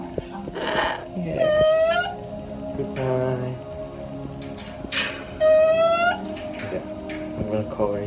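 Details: Cockatoo with its owner indoors, giving two loud, drawn-out, harmonic-rich calls with a rising, nasal quality, about four seconds apart, over background music and a person talking.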